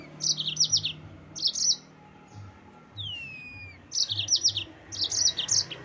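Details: Yellow-fronted canary song meant to provoke rival birds: groups of quick, high, chattering trill notes, paused, then resumed, with one long falling whistle in the gap and faint low rumble behind.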